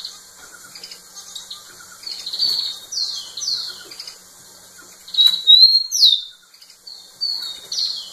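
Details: Rufous-collared sparrow singing a lot to a female. A softer song with descending slurs comes first, amid light clicks and rustles. A louder phrase follows, made of rising and level whistles and then sharp downslurred notes, with more slurs trailing off.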